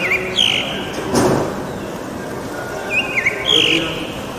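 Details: Northern mockingbird in the city of Bogotá during quarantine, giving bright, high whistled phrases with a quick slurred flourish, repeated after about three seconds, with a brief rushing noise in between.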